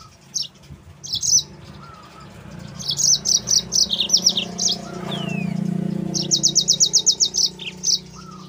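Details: Yellow-fronted canary (mozambik) song as a lure and training recording for other canaries: bursts of high chirps, then rapid trills of repeated sharp notes around eight per second, a falling whistle between, and low background hum.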